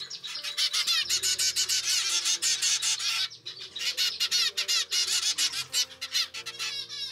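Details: Captive zebra finch chicks of a second brood, normal grey young fed by pied parents, begging for food; dense, continuous rasping high calls in quick uneven pulses, with steady background music.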